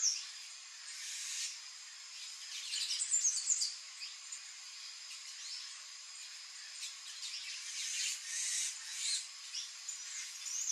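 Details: Palm tanager (Thraupis palmarum), song.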